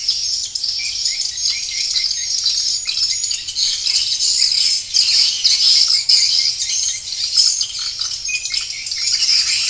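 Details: Swiftlet lure calls from a 2021 recording, mixed with 'inap' (roosting) and 'tarik' (pulling) sounds and played to draw swiftlets into a bird house to roost. Dense, continuous high chattering chirps and twitters overlap throughout, with no pauses.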